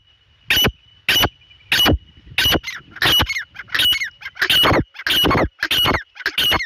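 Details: Grey francolin calling: loud, harsh, broadband notes repeated roughly every 0.6 seconds in a steady series, with a thin constant high tone running behind them.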